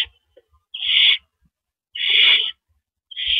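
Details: Barn owl at the nest on the evening of April 9, 2012, at 8:45 PM, as the male delivers a rodent. Three harsh, hissing screeches, each about half a second long, come at roughly one-second intervals. There are no other clear sounds.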